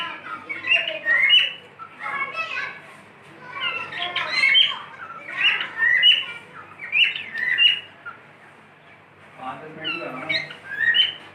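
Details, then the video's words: Caged pet cockatiel whistling beautifully, a run of rapid warbled whistles and squawky chirps in repeated bursts about a second apart, with brief pauses and a low background hum. "My cockatiel | beautiful Whistling"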